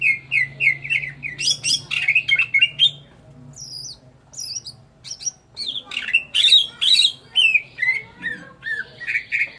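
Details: Greater green leafbird in full song, a kept bird delivering rapid bursts of rich whistles, slurs and mimicking chatter, with a short pause midway before the loud varied phrases resume.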